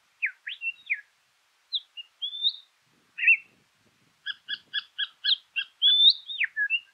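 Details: Southern scrub-robin calling in scrub at Meningie East, South Australia, on 1 August 2021, with other birds present. High whistled upslurs and short notes sound over about 7 seconds. A rapid, stuttering series of clicky notes comes in from another bird.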